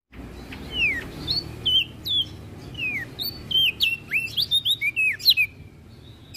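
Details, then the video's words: Olive-backed tailorbird song used as a master recording for training songbirds: a string of bright whistled notes sliding down and up, sparse at first, then quicker sharp chips toward the end. "Burung Prenjak Daun Gacor"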